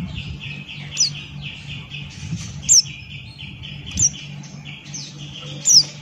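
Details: Male Buxton's white-eye in lively ngalas-style song, open-beaked: a steady stream of high, thin chirps with sharper downslurred notes standing out about every one to two seconds, over a low steady hum.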